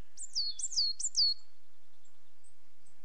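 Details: Coal tit giving four rapid, thin, high notes, each sliding steeply downward, delivered in about one second, followed by near silence broken by a few faint, very high ticks.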